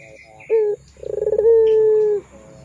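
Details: Barbary dove (puter pelung) call used to tutor young doves: one short low coo, a brief pause, then a stuttering roll of rapid pulses flowing into a long, level, mellow hoot.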